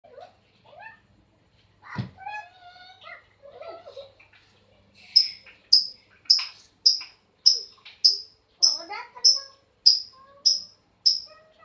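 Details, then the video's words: Pet lovebird at night, described as sulking: a quiet start of scattered soft notes, then sharp high chirps repeated about every half second for six seconds, with indoor room sound. "love bird abah siul malam"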